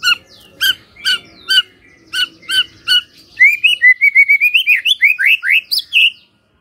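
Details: Song of a White-rumped shama played to prompt rival shamas to answer. Sharp clicking notes spaced about half a second apart lead into a fast run of bright, rising whistles.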